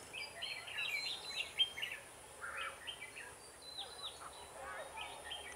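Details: Red-whiskered bulbul recorded while being trapped on 7 October 2018, with a lure bird in use. Several short, slurred, whistled phrases follow each other with brief pauses, against constant background noise.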